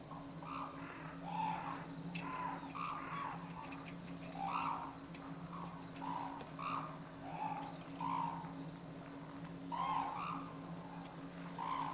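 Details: Held at Akan International Crane Center and recorded January 8, 2006, a black-necked crane utters short, hollow honking notes spaced about a second apart, some clustered in pairs, over a constant low hum and occasional clicks.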